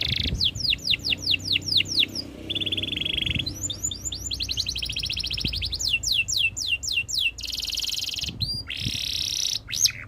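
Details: Canary song made of quick sweeping whistled notes in series, a steady buzzing roll, then bright repeated chips and short rattles, each tour lasting one to two seconds over a soft low background hum.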